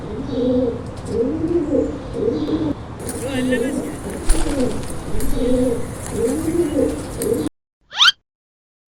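Pigeons give soft, low, throaty coos, rolling and overlapping about once a second. A brief faint rising sound follows after a pause.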